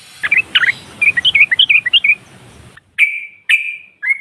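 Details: Female sooty-headed bulbul (trucukan) calling to provoke rivals: bouncing, varied chirps over steady hiss and rumble, then three clean, drawn-out notes after the noise stops.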